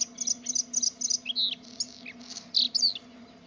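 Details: Bluethroat singing: a quick series of high, squeaky chirped notes, some paired, followed by sharp descending whistles and varied twittering phrases, with a steady low hum in the background.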